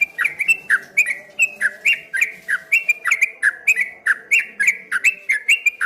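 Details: Continuous wave-like rippling song of a streak-eared bulbul: regular bright downslurred chirps with crisp high clicks, roughly three per second, over a faint constant hum.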